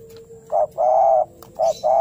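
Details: Spotted dove calling in fighting mode to draw out a rival: a short note, then a long hoarse coo, then another short and long pair, with a steady low hum beneath.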